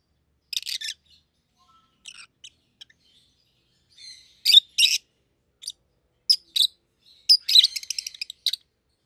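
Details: Two rosy-faced lovebirds, a yellow bird and a green one, chatter in high, sharp chirps, sparse at first then coming in quick, uneven runs toward the end.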